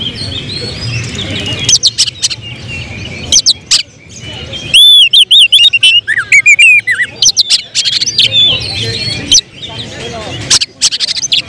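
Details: Excited caged oriental magpie-robin shifting into tembakan song: bright ticks and clicks, then a loud run of rapid looping whistles and falling slurs, followed by more dense clicking notes.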